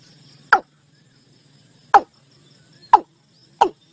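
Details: Watercock (gà đồng) call meant to pull the flock into a net: four short, sharp, falling notes, the last two closer together, with a soft low drone underneath.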